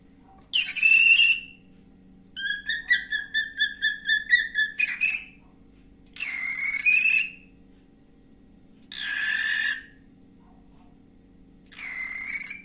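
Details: A pet cockatiel whistles a morning song of clear tonal phrases, one a rapid stuttering trill.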